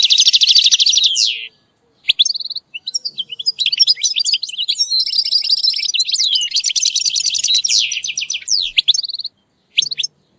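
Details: European goldfinch tutoring chirps for a caged bird: a buzzy rattle opens, followed by lively twittering, a nasal buzzing phrase, more tumbling rapid chirps, and a couple of isolated notes after a pause.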